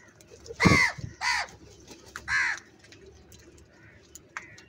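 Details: Crow calling while eating food: three harsh, loud caws in the first two and a half seconds, then quieter background with faint small-bird chirps and a steady low hum.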